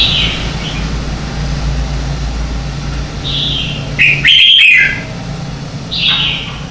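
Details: Morning song of a red-whiskered bulbul, meant for training and stimulating birds to sing: scattered clear whistled notes, then a loud emphatic burst near four seconds and a final bright phrase, with low rumbling background.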